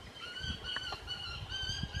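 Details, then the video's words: Juvenile Southern crested caracara calling to its parents for food: a run of drawn-out, nasal, harmonic-rich notes, each about half a second long, repeated with short breaks, over low rumbling background noise. "Carcará filhote pedindo comida"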